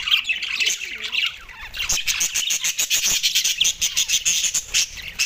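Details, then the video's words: Several Australian budgerigars eating soft food on December 4, 2023 keep up a busy, overlapping chatter. It shifts into rapid, clipped pulses of sharp chirps in the second half. "Australian Budgies food 🥝 Soft food best chirping sound"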